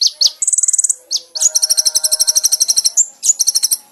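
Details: Brown-throated sunbird singing, from a training recording for caged birds: a few swooping notes, then a quick high trill, and a long rhythmic series of doubled high notes over a faint lower tonal hum.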